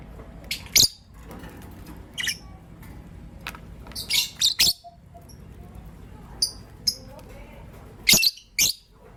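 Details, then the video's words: In the morning, a green personata lovebird and a pastel white lovebird give sharp, scratchy chirps in irregular bursts, some doubled, separated by pauses of one to two seconds, over faint low rumble. "Relaxing Lovebird Chirping Sounds from Green Personata & Pastel White"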